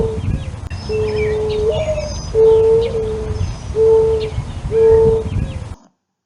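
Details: A backyard Mourning Dove coos by puffing its throat, often without opening its mouth, and is sometimes mistaken for an owl: soft, hollow, low coos, each a steady note about a second long, repeated four times, with faint birds and rumble behind.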